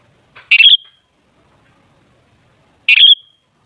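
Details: Sooty-headed bulbul giving its lure song to provoke rival bulbuls into singing: two rich, fluty phrases each ending in a trailing whistle, separated by about two and a half seconds of quiet.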